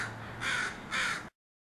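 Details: Crows from a group landing at a house, raising quite a racket: two harsh, hoarse caws about half a second apart, then the sound cuts off.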